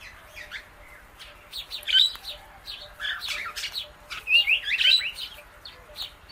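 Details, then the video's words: Pet Indian ringneck parakeet with an Alexandrine parrot, both eating guava seeds; a steady scatter of sharp clicks with a few thin, high chirps, busiest in the second half. "Parrot Natural Clicking Sounds"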